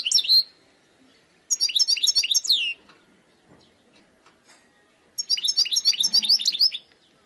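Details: Wild European goldfinch song with bubbling high twitters and liquid slurred notes in a short opening burst, then two longer chattering phrases. A faint low rustle is also heard.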